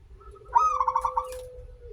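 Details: Local zebra dove, a lure to trigger singing: one brief bright note leading into a quick run of rolling pulsed coos, with a steady lower tone held throughout.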